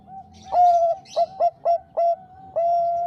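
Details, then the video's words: A zebra dove of the Bangkok type, in a lure recording meant to stir rival males, sings a loud rhythmic phrase of rapid stuttering coos ending in a long sustained coo over a steady hum. "Perkutut bangkok gacor Suara Besar Merdu"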